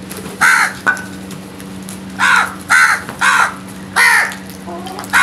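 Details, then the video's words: Crows in the morning; loud harsh caws, single and in quick pairs, about six calls over five seconds, each with a descending arched tone, over a steady low hum. "Nice Crows and Birds Morning Moments | Crows Sounds"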